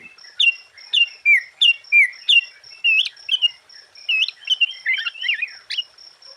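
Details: Sooty-headed bulbul pouring out a lively song to excite other bulbuls: a steady train of short, bubbly whistled notes that becomes a faster, tangled warble near the end, over a thin high steady tone.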